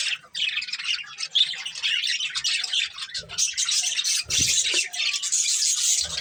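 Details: Colourful budgerigars kept as pets, chirping in a steady, dense flock chatter of high warbles, squeaks and scratchy trills, a few low thuds underneath.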